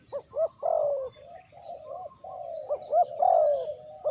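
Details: Spotted dove kept as a trapping decoy, producing a dense run of soft, hollow coos that rise and fall, with notes running into one another almost without pause.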